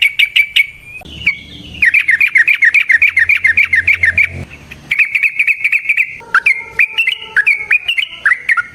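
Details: Sooty-headed bulbul (trucukan) song meant as a lure for other bulbuls; a long fast rattling series of clipped notes, then a chattering run and varied bubbling phrases with slurred whistles.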